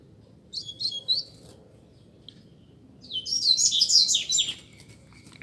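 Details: Singing duel between two double-collared seedeaters: a few brief high chirps, a silence, then a dense, loud run of rapid twittering notes, over a steady low background hum.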